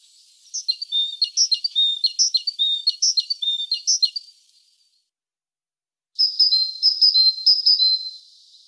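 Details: Great tit (Parus major) delivers a run of high, piping two-note phrases. After a short silence it returns with a slightly higher, faster series of notes.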